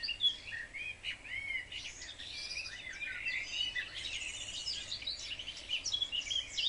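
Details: Several house sparrows in spring sunshine, fighting over nest boxes in a wildlife garden, give dense rapid chirps and squeaky notes that overlap into a busy, lively chorus throughout.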